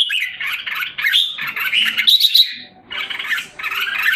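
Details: Singapore cage bird, a red-whiskered bulbul recovering its form in July 2017, delivers dense, rapid chattering warbles in a continuous stream, then a short pause before two more rich bursts.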